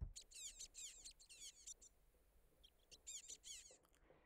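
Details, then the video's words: Begging calls of common waxbill nestlings, whose begging is mimicked by the parasitic pin-tailed whydah: rapid, thin, high squeaky notes that slur downward, given in quick bursts with a short pause midway. "I'll play for you now the begging calls of the common waxbill."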